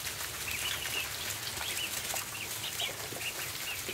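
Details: Barn ducklings at feeding time peep repeatedly in thin, high, slightly rising notes, several per second, amid continuous scratchy floor noise and a faint low hum.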